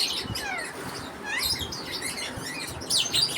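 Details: A lovebird family during feeding time, sharp high chirps and short sweeping squeaks, some falling, some rising, scattered across the clip with a louder squeaky burst near the end.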